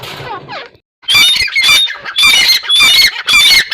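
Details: Teetar, a partridge, gives a rapid run of loud, rasping, broadband calls threaded with high whistled notes. A brief softer call and a short silence come before the series.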